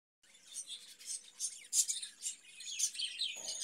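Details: Caged budgerigars giving a continuous high warbling chatter of fast chirps and tweets, with brighter squeaky notes standing out near the middle and a soft low knock at the end.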